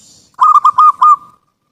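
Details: Zebra dove song meant for luring birds: rapid series of four ringing, slightly rolling coos of even pitch, then a fading trailing note; a faint high hiss precedes the phrase.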